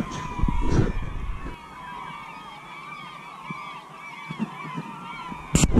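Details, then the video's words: Seagulls at Pointe Holmes give a flock of overlapping nasal, arched cries at moderate distance, fainter and thinner than a close chorus. Gusty wind rumbles throughout, and a sharp knock sounds near the end. "Pointe Holmes seagulls"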